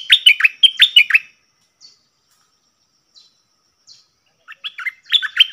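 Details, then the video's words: Cream-vented bulbul singing its doubled song style, dated 18 June 2021: two bursts of bright, bubbly chirped notes sliding between high and mid pitch, separated by a long quiet gap with a few faint ticks. "Merbah lekir gacor"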